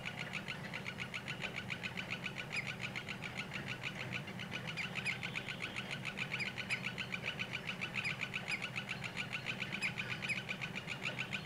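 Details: Male common greenshank courting its partner with a dance before mating, about an hour before sunset; sharp notes repeat rapidly and steadily, about three or four per second, over a constant low hum from a sawmill fifty meters away.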